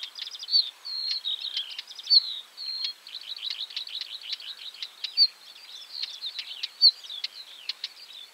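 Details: Northern wheatear song and calls: hurried chattering phrases of buzzy, crackling notes interspersed with brief clear whistles and hard clicks, delivered in a continuous run with a few short breaks.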